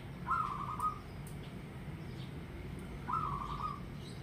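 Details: Zebra dove, a local bird in full song, giving two trilled coo phrases roughly three seconds apart. Each opens with a brief higher note, then a rapid mellow purring roll lasting most of a second, over a steady low hum.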